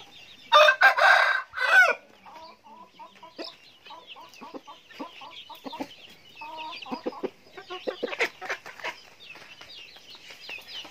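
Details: Chickens eating feed: loud harsh squawks open, then a long run of short, soft, irregular clucks with sharp pecking clicks in between.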